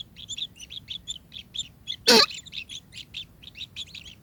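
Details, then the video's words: Kingfisher giving rapid bursts of high chirped notes, about three per second, steady and bright, broken midway by one loud sharp click. "ikuti terus adegan burung tengkek makin seru"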